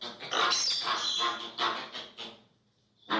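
American flamingo giving harsh, nasal, goose-like honks in a rapid, uneven series of about five bursts, with a brief pause before a final honk.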